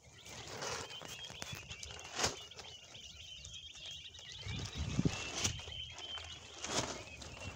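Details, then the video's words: Northern bobwhite chicks give a steady chorus of thin, high peeps, partly masked by rustling, thumps and footsteps. "Bobwhite chicks"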